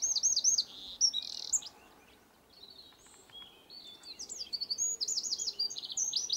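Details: Eurasian wren pouring out loud, high-pitched rapid trills and sharp chattering notes in two bursts separated by a short quiet pause.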